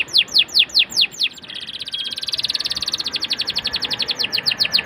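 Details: Lure song from a canary, played so young canaries start singing sooner: a handful of sharp, falling whistled notes, then a long, rapid, tight trill that slowly swells and loosens again.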